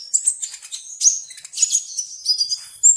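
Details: A sunbird sings a dense, rapid run of very high twittering notes and sharp squeaky chirps in near-continuous sequence, with short high whistles near the end.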